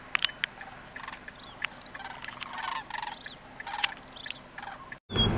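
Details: Sandhill Cranes, thousands feeding in empty corn fields at sunset, give scattered rolling, trumpeting calls from many birds at a distance over a steady hiss, ending with a loud low rumble.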